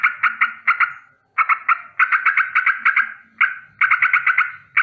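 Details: Morning danger alarm of a sooty-headed bulbul, rolling and persistent: coarse chattering notes in long rapid runs of up to eight, with only brief gaps between runs.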